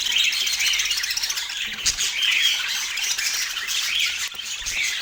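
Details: Pet parakeets calling at morning feeding time in autumn, a steady overlapping chatter of sharp high squawks and chirps without pause.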